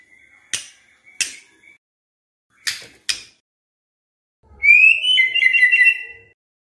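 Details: White-rumped shama lure song: several sharp clicking notes, then a single bright, slightly wavering whistled phrase near the end.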